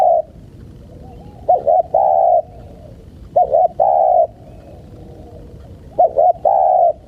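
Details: Low, mellow dove cooing used to tempt wild birds: each phrase a pair of brief wavering notes and then a long even coo, three phrases spaced about two seconds apart.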